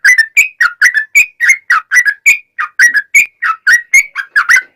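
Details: Lively sooty-headed bulbul, played as a lure to set other bulbuls singing, gives a continuous string of short, clear whistled notes, roughly four per second, that rise and fall in pitch against silence.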